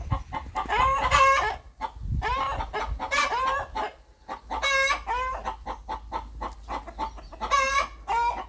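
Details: Farmyard rooster giving rhythmic clucking, with bursts of quick clucks broken by loud harmonic squawking bawks roughly every second or two, then steady short clucks to the end.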